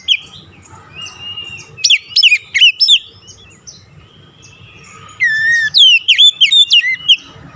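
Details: Lure song of an Oriental magpie-robin for stirring stressed, non-singing birds: a soft opening whistle, a quick cluster of sharp sweeping notes, a quieter stretch, then a fast burst of looping whistles.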